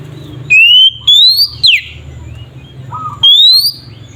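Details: Oriental magpie-robin in nyiul song, used as provocation for raw birds. Two long rising whistles are followed by a sharp downward slur, then a soft low warble and one more upward whistle.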